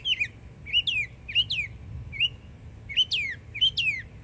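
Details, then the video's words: Yearling Northern mockingbird singing in Florida: repeated swooping downslurred whistles with bright overtones, each phrase repeated about every half second. "Yearling Florida Mockingbird Goes Hard 🎶💯 Beautiful Songs"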